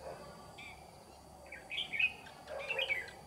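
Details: Red-whiskered bulbul decoy bird singing beside a trap to lure rivals; short clear whistled notes build into a loud, rich warbling phrase near the end, with faint rural background noise.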